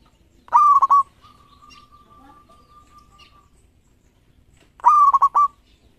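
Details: Local zebra dove lure song: two loud trilled coo phrases about four seconds apart, each a rising note broken into fast pulses, with a long faint steady whistle in the gap.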